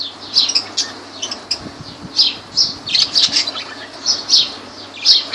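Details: Lovebirds in Laylan, Kirkuk, chattering almost nonstop with shrill, squeaky high chirps and squawks, several close together, over a faint low background hum.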